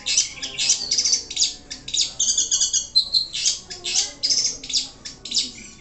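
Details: Pentet, the Long-tailed Shrike, singing in captivity as a contest bird: dense bursts of high scratchy chirps broken by short clear whistled notes, nearly without pause.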